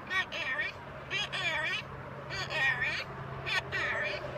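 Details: Talking macaw parrot producing a string of speech-like phrases, five bursts in about four seconds, with wavering, voice-like harmonics over a steady low hum.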